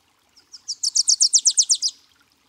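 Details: In Washington state, where it breeds in summer, a Wilson's warbler sings a quick, high chatter of about a dozen sharp chips, swelling in loudness and lasting under two seconds, against a quiet background.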